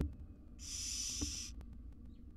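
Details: Wild barn owl mother with tiny chicks in a research nest box in Israel; a single loud, noisy hiss lasting about a second, then quiet with small clicks.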